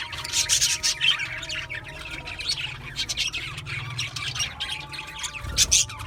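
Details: A flock of budgerigars keeps up lively chirping, sharp squawky notes and twittering warbles overlapping in a continuous chatter, with a faint low hum underneath.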